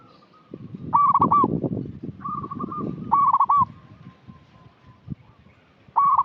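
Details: Local zebra dove repeatedly gives short bursts of quick, ringing trilled coos and soft rapid note runs as a lure for untrained birds, over loud low rustling and knocking noise.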